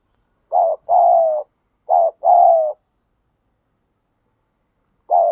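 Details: Spotted dove in the wild giving thúc gù cooing: two phrases of a short coo followed by a longer, falling, husky coo, then one more short coo after a pause of about two seconds.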